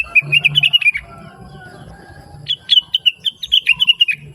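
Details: Blue-winged leafbird in lively, sweet song, kept as a tutor for other birds: two fast runs of bright, high chirps with a quiet gap between, the second run starting higher and stepping down.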